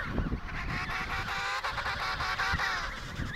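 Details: Many emperor penguins at the Riiser-Larsen colony, Antarctica (72°06 S, 15°06 W), in November call over one another in a dense chorus of harsh, honking, trumpet-like notes, with a low rumble of wind underneath.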